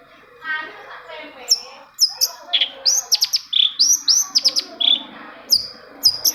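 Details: Long-tailed shrike singing, meant to stir other shrikes to sing: a varied medley of high whistles, sharp clicks and short slurred notes, jumbled at an uneven pace, with some faint lower chatter at first.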